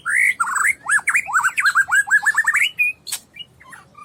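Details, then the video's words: White-rumped shama, a 12-month-old Medan-type bird 27 cm long, delivers a loud whistled phrase of fast up-and-down slurred notes that speed into a rolling trill, followed by sharp clicks and a brief pause. "Suara Murai Batu Medan Super PE 27 Cm.... Full Isian Istimewa"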